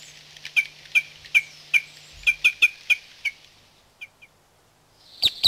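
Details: Red Crossbill, a rare or passage bird in Corrèze, France, giving sharp, metallic 'kip' calls, about three per second, over a steady hiss of background noise.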